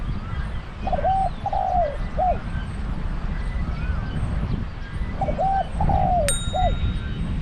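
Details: Spotted dove caged as a trapping decoy, singing in a big, deep voice. Two matching coo phrases about four seconds apart, each a double coo, a falling croo and a short end note, with a brief sharp click near the end.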